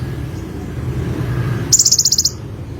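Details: Olive-backed sunbird singing: after a stretch of low rumbling background, a sudden very high, rapid buzzy trill of about ten fast pulses lasts half a second.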